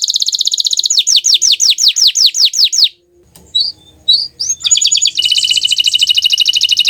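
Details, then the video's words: Bottle-green canary in melodious song: a rapid buzzy trill flows into falling whistled notes, breaks off into a brief quiet with a few scattered chips, then resumes as a steady, dense high trill. "Suara Merdu Burung Kenari Hijau Botol"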